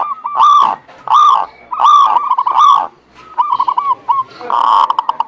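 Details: Zebra dove lure recording for a non-singing bird: four loud, swelling, slightly hoarse coos roughly once a second, followed by a string of quicker soft notes and a final dense burst.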